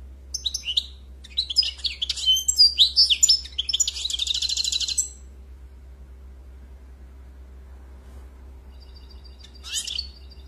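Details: European goldfinch song: a five-second stream of high twittering and a rattling buzzy trill, then quiet with one sharp chirp near the end, over a low steady hum.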